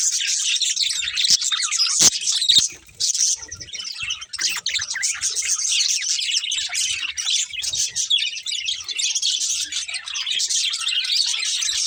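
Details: Budgerigars, a breeding pair of pet birds, chirping continuously in dense, scratchy, high-pitched warbles with short squeaks, sustained almost without pause throughout.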